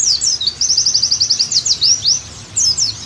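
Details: Oriental white-eye song, played as therapy and tutoring to make a pleci sing lively again: very high, thin chirps, then a fast run of about ten evenly repeated slurred notes, with a few sweeping notes at the end.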